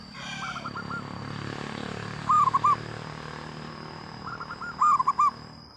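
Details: Local zebra dove singing loudly through an engine-like rumble: two clear phrases of rounded, bubbling coos a few seconds apart, with fainter cooing in between and a thin steady whine overhead.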